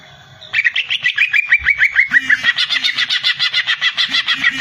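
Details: Greater green leafbird (cucak ijo) singing: a fast, busy run of rich, bubbling chirps and whistled notes, about three per second, loud and continuous after a quiet start, with some low background noise.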